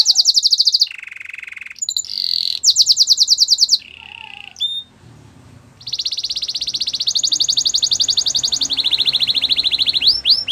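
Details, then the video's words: Belgian canary singing: bright rapid trills high in pitch alternate with lower rolling trills, a short pause, then a long fast rattle of high notes ending in a few rising whistled slurs. "Belgian canary singing"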